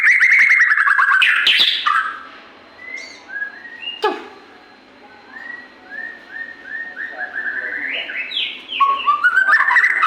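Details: White-rumped shama singing loudly: opens with a rich, fast warbled phrase, then a series of soft separate whistled notes climbing in steps, ending in another loud varied phrase; steady hiss in the background.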